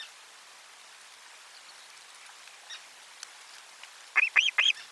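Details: Osprey at nest 4 on 12 July 2022 during the lunch fish delivery: quiet background, then three loud, evenly spaced, piercing arched whistles close together at the end.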